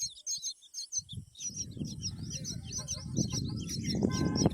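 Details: Myna feeding a green worm to its chicks: a rapid run of high, thin chirps, about two per second, begins after a quiet first second and continues over steady low rumbling noise, with a few louder knocks near the end.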